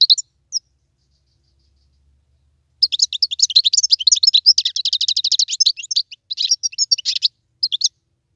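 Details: Wild European goldfinch singing a fast, tinkling twitter of high, bright notes in a continuous run of about four seconds, then a short broken phrase and a final chirp, against a silent background.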